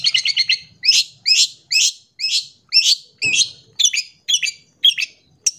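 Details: Clear long-tailed shrike song used to coax birds into singing and to train young ones: a quick stuttering run of notes, then loud rasping, upward-swept chattering phrases repeated roughly every half second, one low thump midway.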